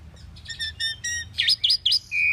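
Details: Common pied myna singing: a few short repeated whistled notes with faint harmonics, then three loud rising-falling squeaky phrases and a steady high whistle to close.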